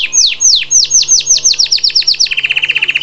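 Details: Singing canary delivering a series of bright downward-sweeping whistles that quicken, then switch to a rapid steady trill on a lower pitch; faint low hum beneath.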